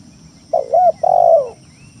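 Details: Spotted dove lure song meant to press rivals and stir quiet doves to call: one phrase of a short wavering double coo followed by a longer, smooth, slightly falling low coo.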